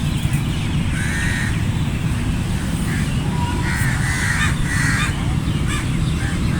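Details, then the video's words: Flock of crows with a few drawn-out hoarse caws in bursts, mixed with other faint calls, against heavy low-frequency background noise. "Flock of Crows cawing sound effect | Crow Caw Sound Effect Naturally"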